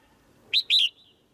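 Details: One female white-eye kept in a cage, calling so the male sings louder: a single bright double chirp, two short high notes in quick succession with a thin trailing tail.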